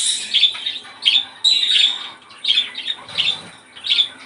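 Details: Budgerigar song played to stimulate breeding: bright, scratchy chirps and squawks in short bursts about every half second, with a few sustained whistled notes near 1.5 seconds, recorded indoors.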